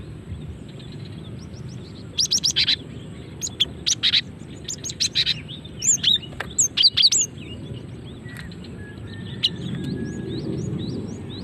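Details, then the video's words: A female cinereous tit's calling, used to lure birds and spark singing: a long run of sharp chirps and high, bent whistles in uneven groups, busiest in the middle, fading to background hum at the end. "Suara asli gelatik betina untuk pikat dan pancingan"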